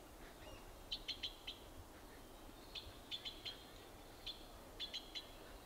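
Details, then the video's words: Yellow-billed blue magpies in a Uttarakhand forest, India, feeding on a dead monkey, give quick bursts of three or four sharp, high, clipped notes, repeated every second or two over a soft forest hum. "Yellow Billed Blue Magpie birds"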